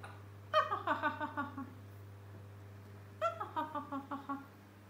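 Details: A male grey parrot, who laughs in different voices and falls silent when people return to the room, mimics human laughter in two bursts of about seven falling 'ha-ha' syllables each, over a steady electrical hum.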